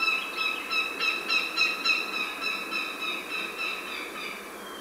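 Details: American goshawk (Astur atricapillus), cack call.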